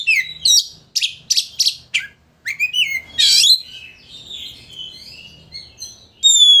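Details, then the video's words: Kacer, the Oriental magpie-robin, singing to stir a rival's emotions so it fans its tail: bursts of harsh chattering notes and whistled slurs, then quieter thin whistles and a final clear high note. "Pancingan Kacer Gacor Untuk Memancing Emosi Lawan Agar Mau Buka Ekor"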